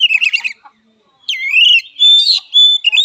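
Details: An oriental magpie-robin gives a fighting song: a harsh chattering burst, a pause, then a slurred rising whistle and strong sustained whistled notes.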